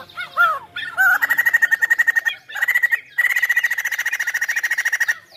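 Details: Chinese hwamei singing energetically: a few loud downslurred whistles open, then long rapid series of even, ringing repeated notes, broken by brief pauses and resumed, each burst a steady rattling trill.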